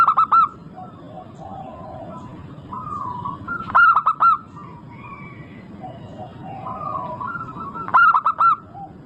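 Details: Zebra dove of a local strain singing often, recorded as a lure to set other birds singing: three bursts of rapid, staccato coo notes, roughly every four seconds, with faint whistled calls from other birds between them.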